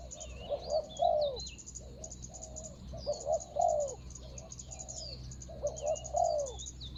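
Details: Ground decoy spotted dove calling to attract a rival, 24 January 2022: three clear cooing phrases, each a quick pair of notes ending in a longer falling coo, with wavering whistles of other birds and an insect hum.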